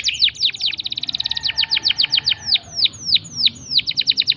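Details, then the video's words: Canary rolling song used to draw out quiet canaries: a rapid rattling trill of dense notes slowing into spaced, sharply descending whistles. "Pancingan Kenari Gacor Ngeroll panjang!! Buat Kenari Macet Bunyi pun Langsung Respon"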